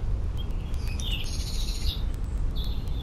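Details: European robin song recorded 20 May 2018: bright, high, scratchy trills and short sweeping notes in quick bursts, partly buried under steady low-pitched environmental rumble.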